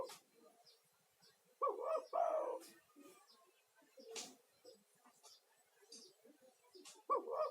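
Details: Male spotted dove calling vigorously as a lure for other doves, meant as therapy for stressed caged doves; a double coo rings out, followed by scattered clicks and taps, then another coo begins at the end.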